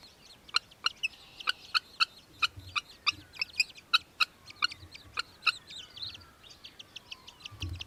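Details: In Victoria, Australia, December 2023, an Australian hobby gives a steady series of piercing, clipped notes about three per second for nearly six seconds, then softer trailing chips.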